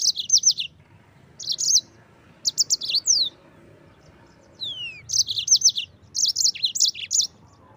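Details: Rolling 'gacor ngerol' song of a yellow-fronted canary, used to tutor white-eyes: short bursts of bright, high chattering notes separated by brief silences, with two slurred whistles gliding downward between phrases.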